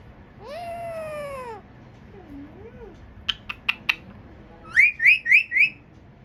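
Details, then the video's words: Pet parrot producing a long arched harmonic call, a soft low up-and-down whistle, four sharp clicks, then four loud rising chirped whistles in quick succession, in a quiet room. "Parrot voice"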